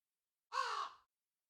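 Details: Crow giving a single harsh, hoarse caw about half a second long, slightly falling at the end, set in complete silence.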